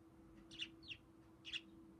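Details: A pet budgerigar perched on one leg, friendly toward its owner, makes three brief squeaky chirps, the middle one a thin downward slur, against a steady faint electrical hum.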